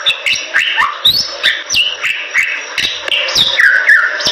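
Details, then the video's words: Bali myna in full vigorous song, used as tutor material for other birds: a fast run of whistled notes sliding up and down between low and high pitches, mixed with sharp clicks and ticks, about three to four notes per second. "Jalak Bali Gacor"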